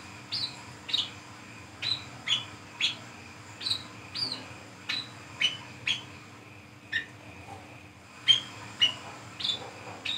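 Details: Brown-throated sunbird song recorded in forest at night, used as a lure call: high thin chirps and short whistled notes, roughly two per second with uneven spacing, over a steady faint background hum.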